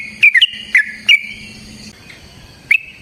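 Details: Yellow-vented bulbul in long fighting song, a lure meant to stir another bulbul into singing; a quick cluster of clear, short whistled notes, a pause with only a thin high tone, then one more sharp note.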